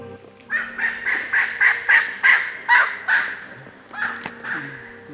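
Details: A male Koklass Pheasant, perched on a dead tree near Chopta, Uttarakhand, in November, calls in a harsh, crowing series of about nine rapid notes, then a shorter burst, over faint background music; its female flew past.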